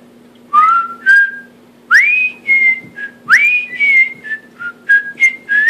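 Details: Male cockatiel kept as a pet whistling a rough version of the Andy Griffith theme: strong upward-gliding whistles followed by held tones and quicker short notes near the end, room hum underneath.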